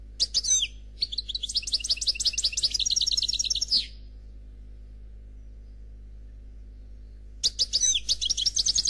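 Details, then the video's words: European goldfinch, labelled black Khalwi, sings without faults: a short twitter, then a long fast rattling trill of about three seconds, a pause, and a renewed tinkling phrase. "Chardonneret Noir Khalwi Chant sans fautes"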